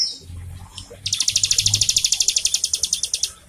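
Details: Singing Bar-winged Prinia, played to get caged birds singing: a short, dry series of quick high notes repeated about six times a second for two seconds, after faint chips and a low hum.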